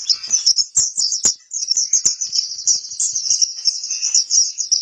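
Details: Continuous shrill twittering from a white-eye known as pleci kapur, recorded for song training, a rapid run of high chirping notes with a few sharp clicks early on.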